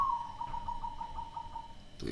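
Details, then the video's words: Caged hybrid zebra dove with a strange voice: a steady run of quick, evenly spaced cooing pulses on one level pitch, then a sudden noisy burst at the end. "Perkutut silangan suara aneh"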